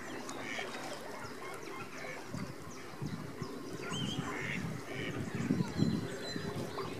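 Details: Captive Bewick's swan family with newly hatched cygnets at WWT Slimbridge, showing parental protective behaviour: soft, goose-like honks and yelps in quick, uneven succession over a steady low rumble of wind and water.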